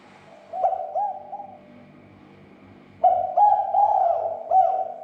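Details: Lure call of a spotted dove for stirring other doves to call: a short, soft coo phrase, a brief pause, then a louder run of throaty, rolling coos.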